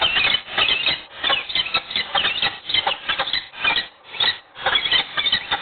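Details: Peregrine falcons in Wołomin, Poland, at a morning meeting and mating, give harsh, squealing, chittering calls in rapid bursts every second or so, slightly muffled and hissy.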